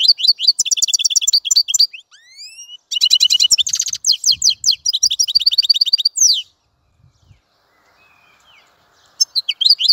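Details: Lively goldfinch song of rapid tinkling twitters and short buzzy phrases, with a pair of rising whistles between bursts and a quiet pause near the end.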